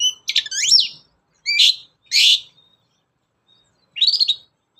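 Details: Long-tailed shrike singing as a lure for other birds: a few separate bursts of bright, slurred whistles and harsh chattering notes, each under a second, separated by silent gaps.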